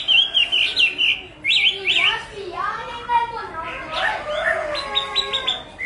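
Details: Chinese hwamei singing choppy, sharply up-and-down whistled notes, then lower slurred phrases and a final burst of fast repeated high notes.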